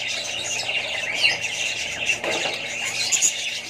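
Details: Budgies with chicks in a group: continuous high twittering and raspy chatter, a few sharper squeaks standing out near the end, steady background hum underneath.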